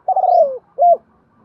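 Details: Decoy spotted dove calling to lure wild doves: a long, low coo that gently falls in pitch, then one short, rounded coo.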